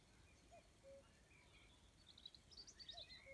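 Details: In the evening at Rumburgh, Suffolk, a faint, distant cuckoo gives two falling 'cuck-oo' phrases about two and a half seconds apart, over brighter, higher chirps and twitters from other birds.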